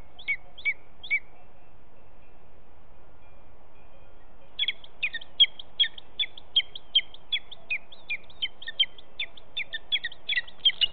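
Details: Booted eagle fledgling near the nest on 23 July 2019, calling as prey arrives: three high sharp notes, a pause of several seconds, then a quickening run of clipped, piercing notes that grows denser toward the end.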